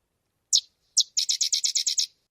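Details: A Sedge Wren, a marsh bird of Maine wetlands that builds globular nests in cattail vegetation, gives two spaced dry chips, then a quick run of about eight high, staccato chattering notes described as "doesn't want to stop".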